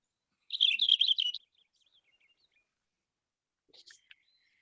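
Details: Cassin's finch (Haemorhous cassinii) song: a fast, rich warble of high, jumbled notes lasting about a second, followed by a brief softer burst of notes.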